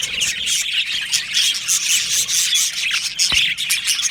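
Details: Chattering budgies in an aviary colony: rapid high chirps, brief whistles and squawks from many birds overlapping, with a single sharp click near the end.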